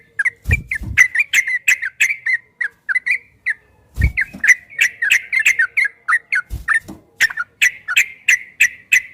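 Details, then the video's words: Long ropel song of a yellow-vented bulbul, recorded to train caged bulbuls to sing. Bright chirped and slurred notes repeat about three times a second in uneven runs, broken by a few low thuds. "Suara burung trucukan MASTERAN TRUCUK ROPEL 2023 TERBARU ‼️PASTI GACOR, TRUCUKAN ROPEL PANJANG"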